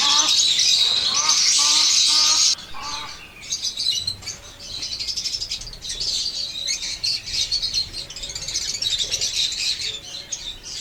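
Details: Pet lovebirds in Pakistan, blue opaline and parblue opaline varieties. A loud steady hiss opens, then a dense stream of high, rapid chattering chirps continues, with soft rustling beneath.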